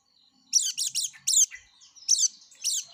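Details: Yellow-breasted white-eye singing actively: quick bursts of high, bright twittering notes, several packed together then a pause, with brief softer trills between.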